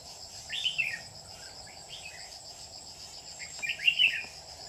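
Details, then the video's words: Lure Red-whiskered bulbul at a trapping site, 27 July 2019: two clear, slurred whistled phrases, one early and one near the end, with a steady cricket-like drone in the background. "Bẫy chào mào mình dài lông mỏng"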